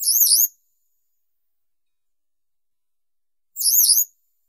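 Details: Western yellow wagtail (Motacilla flava): two loud, high, wavering warbled notes. Each has a rapid up-and-down quiver, separated by about three seconds of silence.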